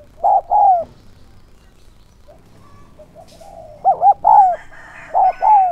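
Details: Spotted dove kept as a decoy to draw wild doves, calling in an urging style. It gives a pair of mellow falling coos, pauses for a few seconds, then adds two more three-part phrases of short hoots and a drawn-out coo.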